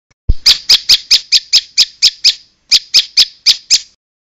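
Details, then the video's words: Bar-winged prinia song with pauses: a run of about ten sharp, evenly spaced high chips, a brief break, then five more identical chips before it stops. "suara prenjak berjeda"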